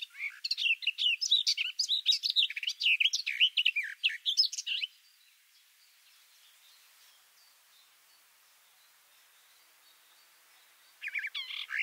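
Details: Singing garden warbler captured from two meters below its bush perch: nearly five seconds of rapid, even, rolling warble, then a long quiet pause before the next phrase begins.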